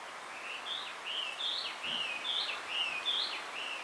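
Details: Male blue rock thrush on a bamboo-covered hill calling for a female: a continuous run of clear, warbling whistled phrases that rise and dip, about two to three per second, over steady background hiss.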